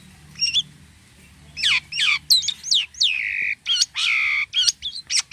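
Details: Jalak kapas starling actively singing strange sounds: high thin whistles, then loud squawking downslurs and drawn-out harsh, nasal buzzes with short gaps between phrases.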